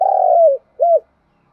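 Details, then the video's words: Short piece of spotted dove cooing, used to spur other doves to coo. A long, low, slightly falling coo is followed after a pause by one short arched coo. "Cu gáy kích bổi nhanh nổi gù hiệu quả"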